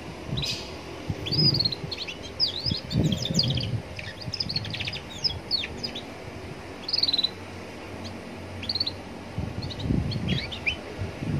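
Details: Young Atlantic canary singing beside a roadside to prompt other canaries to answer: scattered high thin chirps and short rising whistled notes in loose bursts, over low rumbling traffic noise.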